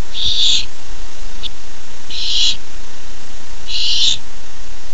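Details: Barn owl owlet excited for a treat, 13 July 2015: three noisy, hoarse hissing screeches spaced about one and a half seconds apart, with a tiny click between the first two.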